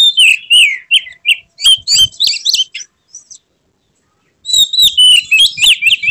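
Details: Kacer, the Oriental magpie-robin, pouring out its full repertoire with tail opened in an emotional display: a rich string of loud rising and falling whistles, a pause of nearly two seconds, then another rapid varied phrase.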